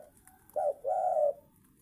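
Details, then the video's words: Spotted dove giving one short coo followed by a longer level coo, over low hiss. "tekukur gacor"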